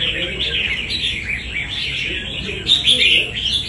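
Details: Wild-caught red-whiskered bulbul, a fighting bird, singing: dense, rapid chirps and short whistled notes in a continuous chatter, with sharper bursts toward the end.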